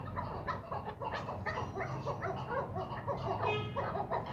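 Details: Captive first-cross male chukar, ten months old, delivering a fast series of clipped, harsh chuck notes, a few per second, with a droning low hum behind.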